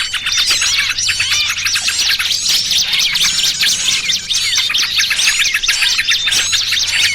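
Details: Small-bird trapping lure of noisy trucukan combined with 'pinched' small-bird distress calls: crowded, high-pitched twittering and squealing notes, steady and loud throughout, with a light low hum.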